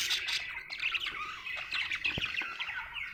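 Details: Cheerful budgerigar chatter: rapid squeaky tweets, short whistled slurs and scratchy notes running together without pause.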